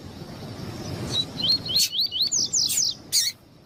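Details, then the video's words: Female double-collared seedeater calling repeatedly to excite the male; a quick run of high, thin upslurred chirps, about eight notes in two seconds, with scattered sharp clicks. "ESQUENTAR COLEIRO E COLEIRO TUI TUI COM FÊMEA DE COLEIRO PIANDO MUITO"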